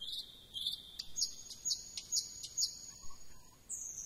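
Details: Thrush nightingale: steady high whistled tones broken by clicks, a few low soft notes, then a sudden high burst at the close; quiet hiss behind.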